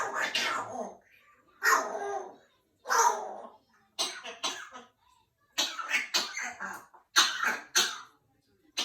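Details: A female pet African grey parrot, not sick, just fooling around, imitates a cough: three drawn-out, raspy coughs followed by a run of quicker, sharper coughing bursts, with no other sounds.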